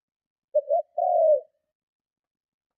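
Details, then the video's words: Strong provoking coo of a spotted dove, a call for luring other doves: brief doubled opening note, then a longer, smooth falling coo, single phrase in silence. "Tiếng Chim Cu Gáy Gù Kích Bổi Cực Mạnh"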